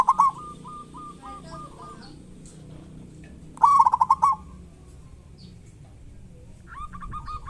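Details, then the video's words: Local zebra dove singing in the kerot and bekur styles, used as a lure to prompt quiet, reluctant doves to sing: a run of short cooing notes repeated evenly, then a loud rapid pulsed burst, and another phrase starting at the end. "Pancingan perkutut lokal gacor cocok buat perkutut lokal susah bunyi"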